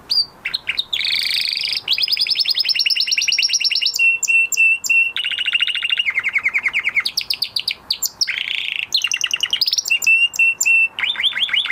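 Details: Canary, a male, in full post-moult song: continuous rolling tours that switch every second or two between high rapid trills, lower rattling runs, buzzy bursts and clipped repeated whistles.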